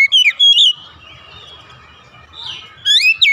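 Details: Oriental magpie-robin singing in the morning: a couple of slurred whistles open, then a quiet stretch with faint held tones and low rumble, before a loud rising whistle phrase returns at the end.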